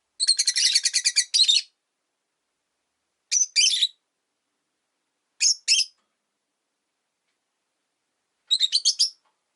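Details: Rosy-faced lovebirds kept as caged pets near a window, five birds together, begin with a rapid rattling series of high chirps, followed by spaced pairs of sharp notes and a final quick burst.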